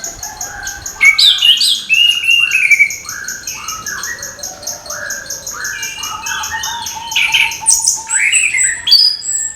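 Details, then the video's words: An orange-headed thrush sings in the morning to encourage young thrushes to open their beaks: a long run of varied descending whistled phrases and chattering notes, over a constant, buzzy, high-pitched background trill. "ANIS KEMBANG GEMERCIK SUARA DIPAGI HARI, MENAMBAH SEMANGAT ANIS MUDA BUKA PARUH"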